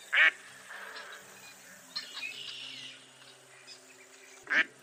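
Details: A mottled duck (Anas fulvigula) gives two loud, harsh quacks about four seconds apart, with soft, low chatter and faint background noise between them.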